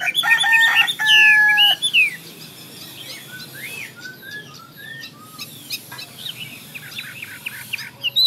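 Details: Chinese hwamei opening with a harsh, dense burst of loud notes, followed by sparse soft whistled slurs and a few faint, high chips.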